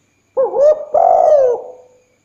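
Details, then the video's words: Lure recording of a spotted dove calling at night: a clear, resonant two-part coo in which a short wavering note gives way to a sustained, slurred, gradually falling note that fades out. "Tekukur/Derkuku pancingan bunyi malam hari,suaranya mantap."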